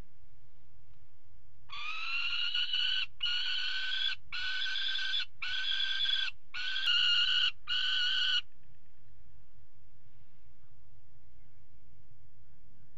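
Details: Peregrine falcon pair at a water tower nest box, mating on the ledge, 5 February 2018: six harsh, grating, drawn-out call notes in a steady series, each about a second long with short gaps, over low background rumble.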